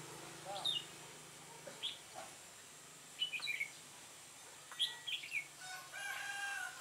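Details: Red-whiskered bulbul recorded on an overcast day, 4 March 2017, during trapping with a decoy bird; short bright whistled phrases, some slurred and falling, come in scattered bursts over a faint low hum.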